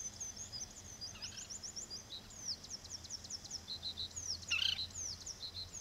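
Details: Foraging common waxbills (Estrilda astrild), an introduced escaped cage bird at Old Iron Bridge wetland, Taiwan, 9 June 2023, give a rapid chatter of thin high chips and short twittering notes, several overlapping, over a faint background hum.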